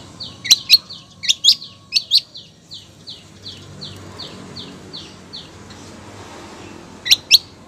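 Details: Female long-tailed shrike calling the male: sharp doubled chirps, then a steady train of soft, downslurred high notes that gradually fade out, and a final pair of sharp chirps.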